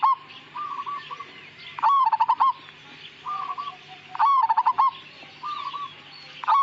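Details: Majapahit zebra dove song: loud rolling, stuttering coo phrases alternating with softer, flatter cooing notes, cycling about every two seconds, over a low hum.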